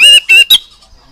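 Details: Oriental magpie-robin, played for young birds to copy: three loud, brassy, harmonic notes in quick succession, the last shortest, then quiet.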